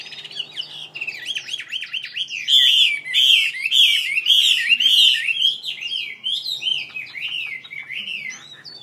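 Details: Sustained song of a mi kept as an ornamental bird in Vietnam: rhythmic zigzag whistles rising and falling in quick succession, loudest in the middle, easing into softer warbling.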